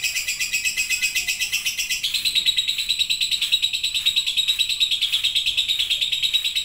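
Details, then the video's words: Lovebird giving a continuous ngekek, a long chattering song of fast, shrill, evenly pulsed notes that jumps to a stronger, slightly lower band after two seconds and carries on unbroken. "LOVEBIRD NGETIK LANJUT NGEKEK PANJANG"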